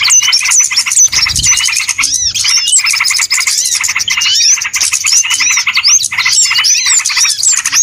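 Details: Trapping lure of small birds: crowded high-pitched chirps and twitters overlapping constantly, sprinkled with sharp rising whistles, one brief low thud near the start.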